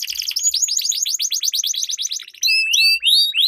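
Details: Canary song used to train competition birds, opening with a fast buzzy rolling trill that gives way to clear, separate upslurred whistles.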